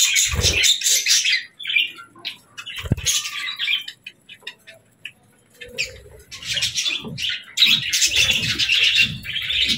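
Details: Budgerigars fluttering and chirping in the evening, with buzzy chatter bursts separated by quieter stretches, a couple of sharp low thumps early on, and soft knocking sounds.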